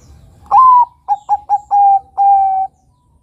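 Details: Bangkok-type zebra dove, a vigorous singer, giving a training song for young birds to copy. It opens with a rising coo, follows with four quick staccato notes, then two drawn-out even coos. Quiet low rumble beneath.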